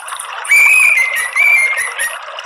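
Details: Orange-headed thrush therapy/lure sound: a high, thin whistle held for about a second and a half, wavering slightly in pitch, over faint hissing and soft high chirps.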